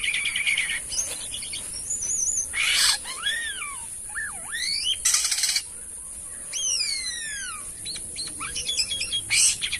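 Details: Asian pied starling in lively, varied song: rising and falling whistles, bent glides and scratchy chatter, with bursts of broad harsh noise around the third and fifth seconds.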